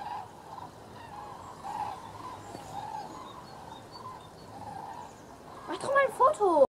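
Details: Common cranes flying south on migration over Recklinghausen on 19 October 2017: faint, distant calling over a steady hiss, then loud, rolling trumpeting calls near the end.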